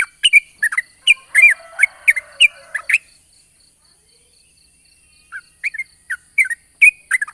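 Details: Yellow-vented bulbul singing a long rapid 'ropel' song in the morning, used as a lure: bursts of bubbly, chattering notes, then a pause of about two seconds before the fast phrases resume, with a faint steady high electronic tone.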